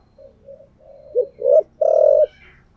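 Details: Spotted dove used as a decoy, thổ voice style: soft murmured lead-in notes build to two rising coos and a long, loud, flat coo, then fade.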